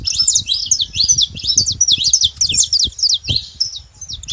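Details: Free-living saffron finch flock at a feeding spot: many birds overlapping in quick, high, twittering chirps and slurred notes, densely packed, with some low thumping noise underneath.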